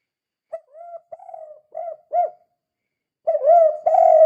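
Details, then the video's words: Spotted dove in the kuk 2 style, a call used to get other doves calling. Softer coos open the clip, then a short pause, then louder, fuller hollow coos closing the sequence. "Suara Burung Tekukur Gacor Kuk 2 Sangat Ampuh Untuk Pancingan"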